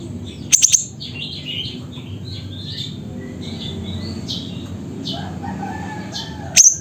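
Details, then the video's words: From Mutiara, Pidie, Aceh, a siri-siri opens with a rapid trio of sharp, very high notes and ends with a single note, while other small birds chirp and twitter in between. "Burung Siri Siri Nembak Suara Gacor"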